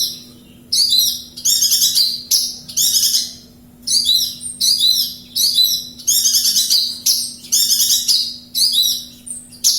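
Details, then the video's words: Javan bush lark from Kediri in full, energetic song: bursts of rapid, dense high twittering and trills, each lasting about half a second to a second, separated by short pauses, with a steady low hum underneath. "Branjagan Jawa gacor kediri"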